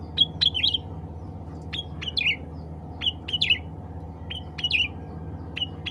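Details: Cucak ranting, or black-capped bulbul, calling other birds of its kind: short whistled chirps followed by slurred, twisting notes in small bursts about a second apart, over a continuous low hum.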